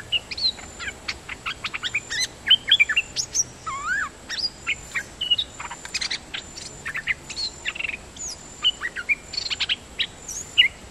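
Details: Long, busy run of nok dok taeng song: rapid chirps, whistled slurs and sharp ticks repeated almost without pause over several seconds, over steady background hiss.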